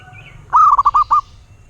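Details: Local wild zebra dove singing one cooing phrase: a rising, drawn-out first note followed by four short, rolling coos, all mid-pitched and lasting under a second.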